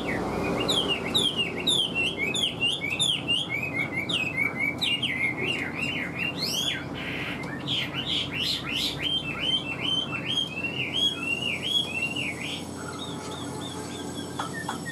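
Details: Chinese hwamei kept in a cage pouring out rapid, repeated upslurred whistles in long sequences, later softening into scattered chirps.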